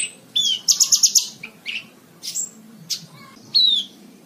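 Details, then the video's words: Training recording of a Horsfield's bush lark for cage birds: a quick series of five loud repeated chirps, then scattered sharp notes, a rising whistle and a falling slurred phrase. "MASTERAN BRANJANGAN SATU JAM FULL"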